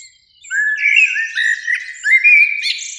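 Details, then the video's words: In spring, one of two blackbirds sings from a beech tree near a lake in evening sun, giving a mellow whistled phrase that wavers and climbs, ending in a squeaky high flourish. "Relaxing Birdsong"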